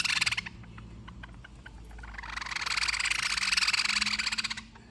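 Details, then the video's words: Hungry bird begging: a short burst of harsh, raspy, rapidly pulsed calls, a lull with scattered ticks, then a sustained loud stream of buzzy rasping notes repeated several times a second for about two and a half seconds. "Hungry bird"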